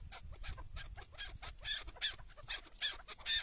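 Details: During a hunt with a tethered decoy, a chukar partridge gives several sharp, scratchy chuck calls spaced roughly a second apart, growing louder toward the end, over low wind rumble.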